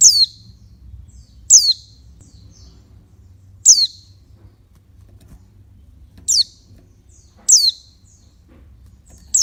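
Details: High, thin downslurred calls from a female oriental white-eye, given to stir up males; five sharp notes spaced irregularly over about nine seconds, each dropping steeply in pitch, a soft low rumble behind.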